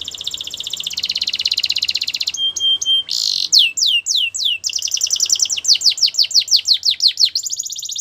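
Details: Canary song for training birds: a dense buzzy rolling trill, brief clicking notes, then loud separate downward swoops followed by a quick run of repeated falling notes and another buzzy roll, over faint background hiss.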